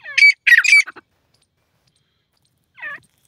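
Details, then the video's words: Grey francolin gives a quick burst of three harsh, shrill squawking notes, then one more rasping note after a short pause. "grey francolin voice,dakhni teeter ki full awaaz"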